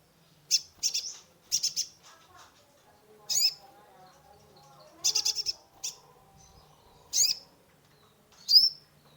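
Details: Sunbird (kolibri ninja) song played to stimulate a stressed caged bird: loud, sharp high chirps in clusters separated by pauses of about a second, over a faint low hum.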